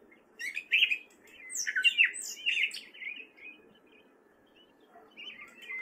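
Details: Gray catbird, a male, singing in spring at Fairfield, Iowa: a jumbled run of squeaky, scratchy phrases, some slurred and some high-pitched, loud for the first three seconds, then fainter notes after a pause.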